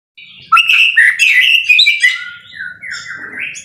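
A white-rumped shama sings a rich, rapid stream of varied whistles and chattery notes, ending in clear rising whistled phrases.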